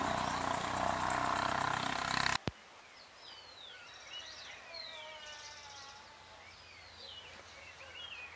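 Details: Great thrush singing on a full moon night, observed 13 June 2022 at 6:26 PM: after about two seconds of loud broadband noise, a varied run of clear whistled slurs, rising and falling sweeps and short warbled notes follows.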